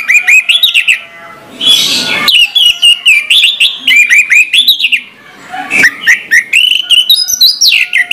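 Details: An orange-headed thrush sings in the morning, pouring out rapid varied phrases of bright whistles and chips. A short harsh burst breaks in near the start and again around the sixth second.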